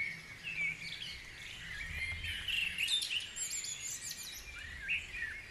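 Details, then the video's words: Dawn chorus at Guisborough: several birds singing together, with overlapping warbled and whistled phrases, thin high trills and short chirps layered continuously over a soft low rumble. "Dawn Chorus#3"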